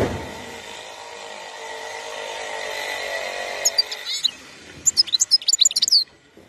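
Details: Wild European goldfinch from Algeria giving short bursts of high, rapid twittering notes in its second half, after about four seconds of steady broadband rumble like passing traffic.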